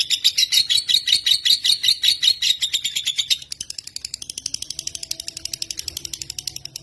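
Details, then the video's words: Lovebird from Indonesia with a loud, fast chatter of high twittering notes for about three seconds, then a quieter, steadier mechanical-sounding rattle with a few soft lower tones. "LOVEBIRD_INDONESIA Burung Cinta"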